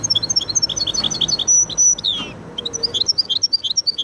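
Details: Hybrid of goldfinch and canary giving quick high twittering notes and a short sustained whistle, then a descending buzzy sweep before resuming rapid chirps.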